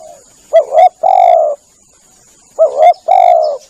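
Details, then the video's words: Dove lure sound of a spotted dove: two complete phrases, each a double short coo leading into a longer rich coo, separated by a second of quiet, with a faint continuous high tone. "Bunyi pikat burung tekukur"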